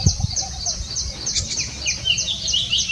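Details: Golden oriole chicks in a woven hammock nest beg while being fed, giving rapid, thin, high chirps, several a second, some slurred downward, over a low outdoor rumble.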